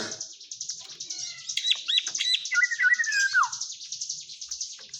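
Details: A white-rumped shama, or murai batu, sings over a continuous high buzzing chatter: thin sliding whistles and a descending warbled phrase near the middle, with steady hiss-like trilling throughout.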